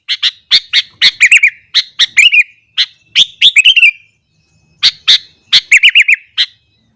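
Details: Sooty-headed bulbul in full morning song, meant to make other bulbuls agitated: repeated cycles of sharp chips that run into bubbly, descending warbled flourishes, separated by brief pauses.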